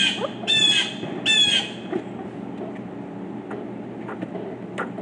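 Two loud, harsh, nasal squawks from a Pileated Woodpecker, each about a third of a second long. Faint taps and rustling follow in a quiet outdoor setting.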